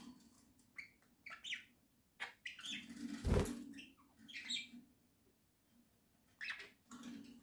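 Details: Pet budgerigars kept as a small flock indoors, October 2024: scattered short chirps and buzzy notes with a loud thump and rustling midway, then quiet gaps between bursts.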